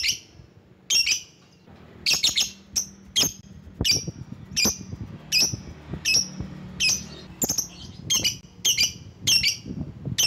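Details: Lovebird lure calls aimed at bringing in rivals: a long, fast series of some fifteen sharp, screechy chirps, sometimes doubled, with short irregular gaps and a faint background hum.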